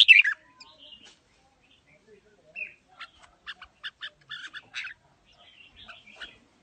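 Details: Red-whiskered bulbul singing in a forest-voice style while displaying: a sharp burst, then sparse short chirped and buzzy notes scattered over several seconds, some in quick pairs, in a quiet setting.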